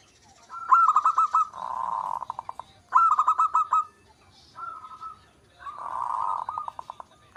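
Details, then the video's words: Zebra dove of local stock, singing: repeated phrases, each a quick run of staccato coos blending into a softer, burry, rolling note, heard two times with a short coo between. "Perkutut lokal gacor 99% suara perkutut manggung"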